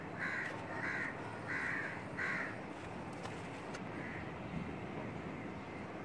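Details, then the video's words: Female Asian koel perched close on a curry leaf tree branch beside a window, giving four short, evenly spaced, slightly harsh notes in quick succession, then falling quiet against a steady background hum. "Asian Koel - Female"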